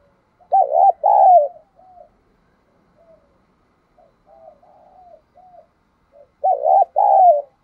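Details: Spotted dove acting as a decoy to lure wild birds: two loud cooing phrases of arched notes and a long falling coo, with quieter distant coos in the gap between them.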